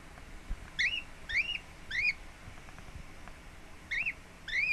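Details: Lineolated parakeet kept at home, relaxed after settling in, recorded 26 April 2017: soft rising whistled chirps in a short burst of three, a pause with faint clicks, then two more.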